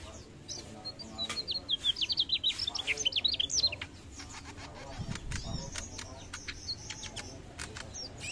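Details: Mugimaki flycatcher delivering a fast burst of thin, high, jittery notes for about three seconds, followed by scattered clicks and a brief low thud.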